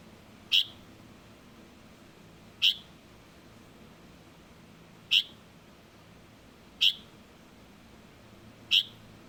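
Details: Five abrupt high single-note calls from a juvenile Light-vented bulbul, spaced unevenly about two seconds apart, with quiet steady hiss between them.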